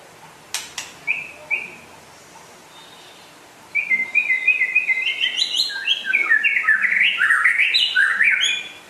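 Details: Rare white-rumped shama from West Aceh, opening with a few sharp clicks and two soft whistles, then bursting into a long rising and falling run of quick bright warbled notes.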